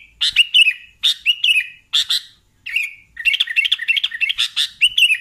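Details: Sooty-headed bulbul singing vigorously: short bright chirpy phrases with bubbly notes in bursts separated by brief pauses, ending in a faster, denser run of chattering notes.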